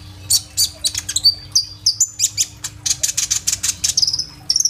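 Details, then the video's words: Kolibri ninja sunbird singing with rolling burst fill-ins, phone recording; rapid trains of very high, scratchy chips and a few drawn-out whistles run together, with a steady low hum in the background. "BURUNG KOLIBRI NINJA GACOR FULL TEMBAKAN ISIAN ROLL TEMBAK ! AMPUH BUAT PANCINGAN KONIN BAHAN IJOAN"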